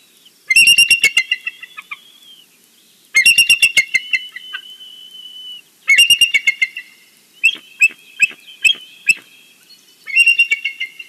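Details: Repeated morning chatter of a bald eagle at the nest in the Big Bear valley, from a live nest cam: five bouts of shrill, piping, staccato notes, each about a second long, spaced roughly every two to three seconds.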